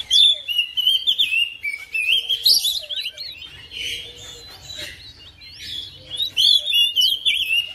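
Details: Oriental magpie-robin from a home cage joins in after another bird, singing a dense, fast medley of bright whistles, buzzy trills and sharp high chips that shifts constantly in pitch.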